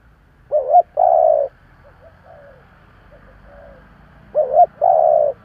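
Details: Spotted dove used as a decoy, cooing in the local 'giọng thổ' voice to lure others: two phrases, each a quavering double note then a sustained mellow hoot, with soft faint notes between.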